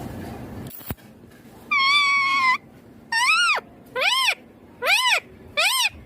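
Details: Green Indian ringneck parakeet, a pet, talking: a click, then a flat, buzzy, harmonic-rich note, followed by four short rising-then-falling squawky syllables spaced about a second apart over quiet background.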